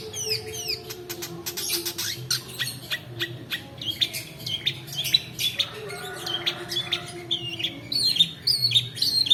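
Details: Long-tailed shrike in a lengthy rolling song for luring quiet birds and teaching others: dense clicking chatter and harsh bursts, later clear sliding high whistles repeated several times near the end.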